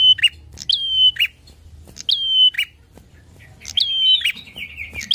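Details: Song of a bar-winged prinia meant to provoke rival birds: repeated whistled phrases, high onset, flat sustained tone, buzzy drop at the end, sung four times with a brief pause midway.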